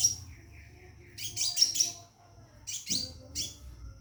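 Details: A caged scarlet minivet calls a female to mate with quick clusters of shrill, high chirps, three bursts spaced over a few seconds, with faint lower notes in between.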